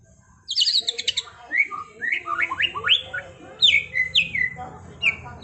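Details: White-rumped shama in rolling trontolan song, starting with a rapid rattling trill, then a string of loud rising and falling whistled slurs and fast repeated chirps, delivered almost without pause.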